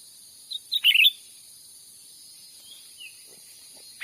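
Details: Cucak ranting used as a lure call for trapping wild birds in Sumatran forest: one quick burst of high, squeaky chirped notes, followed by a few faint scattered notes over a steady high hiss.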